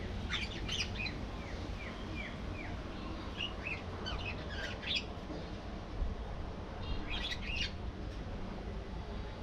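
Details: Budgerigars in a colony with a warbled song: a series of short downward-sliding chirps, then scratchy chatter and bursts of high notes, over low hum.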